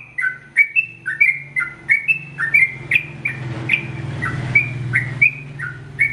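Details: Energetic sooty-headed bulbul song, the long 'ropel panjang' style meant for training captive birds: clear whistled notes stepping up and down in rapid succession over a low continuous mechanical hum.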